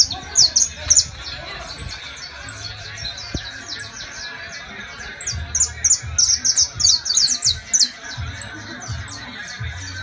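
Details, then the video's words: Saffron finch (canario criollo) from La Guajira, Colombia, singing: bursts of sharp, high chirps in quick clusters, pausing and resuming, over steady background hiss with men talking and faint music. "Canarios Criollos cantando"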